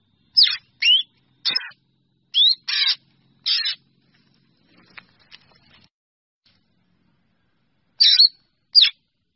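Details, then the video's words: Flock-gathering calls of a drongo: a burst of rising whistles and harsh rasps, then a pause with faint soft clicks, then two more calls. "Tiếng Chèo Bẻo kêu gọi bầy"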